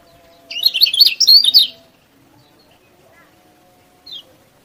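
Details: Yellow-bellied prinia singing, used as a master recording to stir reluctant birds into song: one rapid, high burst of scratchy chirps and twitters, then near silence with one faint later note.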